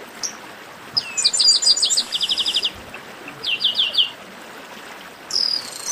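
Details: Garibaldi, the chestnut-capped blackbird, singing an esquenta: fast rattled series of chirps about three to four per second, a second short trill, and a closing buzzy note, over soft rushing noise.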